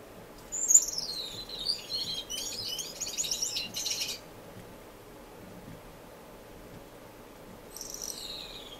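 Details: Finches kept in a non-breeding indoor aviary in Edmonton, Canada, in March: a bright whistle falling in pitch, then about two seconds of fast high chattering, a quiet gap, and a faint descending whistle.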